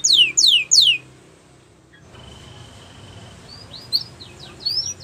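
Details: Belgian canary singing, described as a yellow canary in the wild: three loud, fast, downward-sweeping whistles in the first second, then a quiet pause and a few fainter high chirps and short slurred notes.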